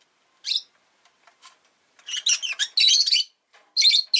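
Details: Rosy-faced lovebird kept as a pet gives sharp, high chirps, a lone note followed by a dense cluster of harsh, buzzy chirps and a final burst, all quite high-pitched with no other clear sounds.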